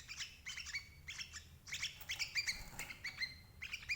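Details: A sooty-headed bulbul lure recording for catching parent birds: short, loud groups of bright, warbling chirps separated by brief gaps, with a soft low-pitched background noise.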